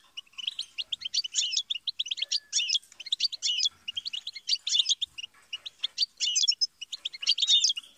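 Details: European goldfinch song of rapid high twitters and buzzy chirps grouped into repeated bursts roughly every second, clean background.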